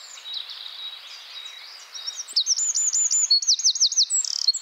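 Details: Eurasian wren song recorded in the Czech Republic, Central Europe: a quieter, more distant opening of thin twittering, then a sudden loud run of rapid rattling trills and shrill notes over the last half.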